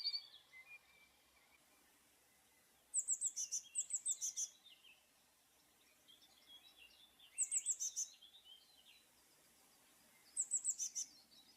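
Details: Three Eurasian blue tit song bursts spaced several seconds apart, each a quick series of sharp, high repeated notes, with softer twittering calls in between.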